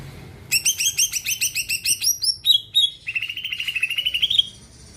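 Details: Greater green leafbird in full song, meant to set other birds singing: a long fast series of rich repeated chirps, then high whistled notes and a rapid buzzy rising trill.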